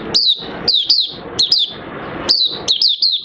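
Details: Oriental white-eye singing on 30 August 2022 as its fresh white feathers finish colouring; widely spaced high chirps, singly and in pairs, each a quick downward slur, over light background hiss.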